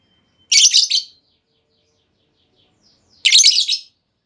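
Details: A female lovebird's lure call, intended to make lovebirds answer with long trilling: two dense, harsh, rasping bursts of rapid chirps about two and a half seconds apart, with quiet between.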